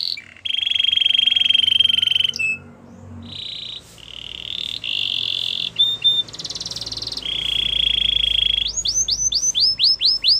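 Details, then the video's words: Gloster canary delivering long, even, rattling rolls and buzzy trills at varying pitches, ending in a rapid run of high, falling whistled notes, with steady low background noise throughout. "Gloster canary singing"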